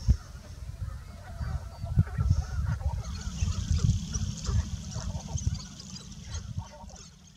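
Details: Sharp-tailed grouse displaying at a courtship lek in Michigan's Eastern Upper Peninsula: several birds give scattered cackling, clucking calls and dry clicks over a heavy low wind rumble and a faint high hiss.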